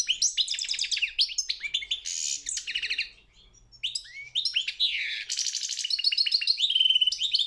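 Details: European goldfinch song entered in a world championship singing competition: rapid bright twitters and buzzy trills, a silent gap of nearly a second partway through, then a busier run of tinkling, rattling notes.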